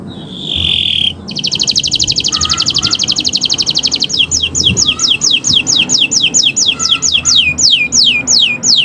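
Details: Canary song in the owor-owor style, used as tutor song to get birds singing: a brief whistled note, then a long rapid metallic trill, breaking into repeated descending whistles about every half second, over a low background hum.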